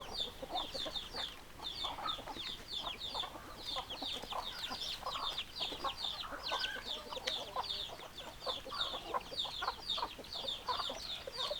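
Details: A flock of chickens with hens clucking in low, constant chatter, over a dense layer of high, thin peeping calls repeated throughout; no crowing stands out.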